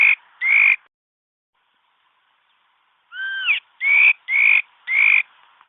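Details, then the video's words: Mi đất bird used as a trapping lure. Two rising whistles, a one-second pause, then a downslurred two-tone note and four bright upward-sliding whistled notes in quick succession. "suab kaim kauj quaj zoo cuab ,mi đất hót bẫy đâu"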